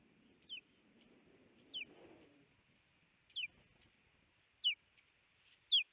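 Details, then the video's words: Osprey pair at a Missoula, Montana nest, 17 April 2019: the male calls in alert as his mate brings in a large fish, giving five thin, piercing, falling whistled chirps spaced about 1.2 to 1.6 seconds apart. "Louis Alerts"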